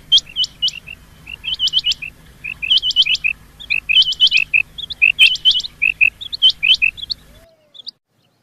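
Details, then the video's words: Rain quail call used as a lure for hunting: sharp, high, metallic chirps in quick pairs and triplets, repeated steadily for about seven seconds before stopping, over a faint low hum. "Rain quail call for hunting | chingay ki awaz shikar k leay | چنگے کی آواز شکار کے لیے"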